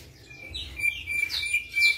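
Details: Ashy drongo, white-eyed and active, in a quieter passage of its flycatcher-imitating song: a steady thin whistle held under soft scattered high chirps and upslurred notes.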